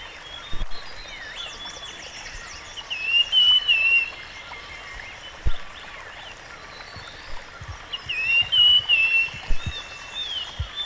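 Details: Rusty-fronted barwing singing in the wild, two short wavering whistled phrases roughly five seconds apart, among many faint chirps of other birds and scattered clicks and ticks.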